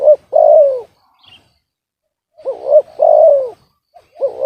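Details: Captive spotted dove with an off-key voice: a long falling coo, a pause, then a looping two-part note and another drawn-out descending coo, with a new phrase beginning at the end.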